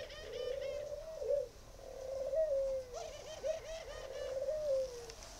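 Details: Spotted dove from a northern Vietnamese breeding farm near Ba Vi, cooing in drawn-out, mellow notes that dip slightly at the ends, with a brief wavering stutter in the middle. Soft twittering from other birds is heard behind.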